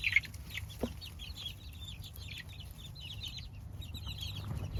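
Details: Several baby chicks peep continuously, overlapping high, short falling chirps repeated many times a second throughout, with one soft thump early on and a low background rumble.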